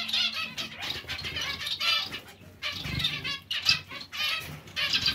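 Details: Colony of zebra finches producing bursts of buzzy, nasal chirps from several birds, separated by short lulls, with fluttering wings audible.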